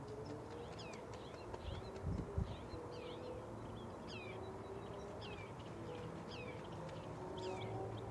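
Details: Canada goose hatchlings resting on the shore in 2023 give a steady run of thin, high peeps sliding downward, roughly three each second, against a low background hum and a few soft thumps.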